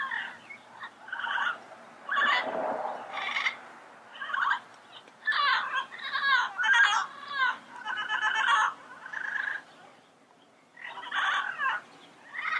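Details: Yellow-headed amazon chattering: a varied stream of raspy squawks, croaks and nasal notes in irregular bursts over about twelve seconds, with a low background hum.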